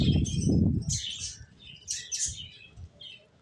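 Finches give short, high, thin chirps in three brief bursts about a second apart. A low thump, like wing flapping or handling, is heard at the start.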